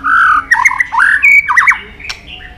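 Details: White-rumped shama in a long training song: a steady whistle followed by harsh, warbling squawky notes and a sharp click.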